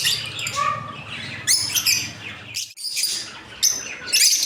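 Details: Colony of breeding lovebirds, including peach-faced and various mutation birds with young; scattered shrill chirps and short squeaky bursts from several birds, separated by brief quieter gaps.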